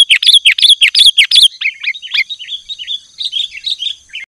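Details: Male sooty-headed bulbul calling at a rival in the afternoon: a fast run of loud, slurred chattering notes that fades into softer, quicker twitters before stopping, with no other sounds.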